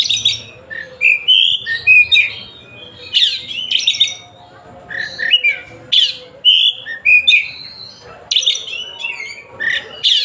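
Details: Oriental magpie-robin from Tasik in full song: harsh broadband rasps alternate with clear whistled slurs and warbles in rapid phrases, with brief gaps between bursts.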